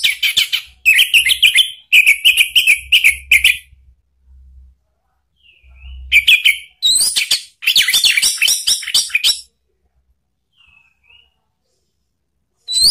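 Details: Orange-headed thrush in open ngeplong style, used as a lure to get a pet bird singing back. Long runs of rapid, rich whistled and chattering phrases, broken by short pauses and occasional soft notes, with faint low hum beneath.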